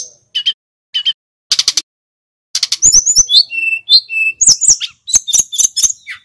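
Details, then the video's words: Snowy-browed flycatcher song used as a training lure for other songbirds: a few scattered high chips at first, then a fast tumbling stretch of bright whistles, slurs and clicks. "Suara tledekan gunung gacor | Pancingan burung Sulingan bakau & sikatan laut supaya cepat fighter"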